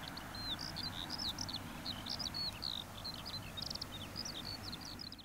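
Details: A Eurasian skylark at Waalenburg, Texel, pours out a continuous high, rapid stream of chirps, trills and whistled notes, over a low rumble of wind or distant traffic.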